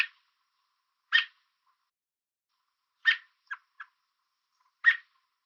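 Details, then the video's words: On a fence in Southern Ontario, Canada, an American robin gives warning chips to keep an intruder away: a few loud abrupt notes separated by pauses, plus two faint quick pips, with stillness between. "American Robin Chirping Sound"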